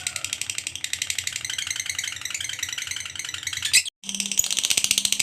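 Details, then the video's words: Fighter lovebird ngekek meant to prompt other lovebirds to sing: a continuous, high, buzzy chatter of fast pulses, broken by a short silence before resuming, with a low hum in the background. "LOVEBIRD FIGHTER NGEKEK PANJANG_TERAPI JITU PANVING LOVEBIRD MACET JADI GACOR RAJIN BUNYI"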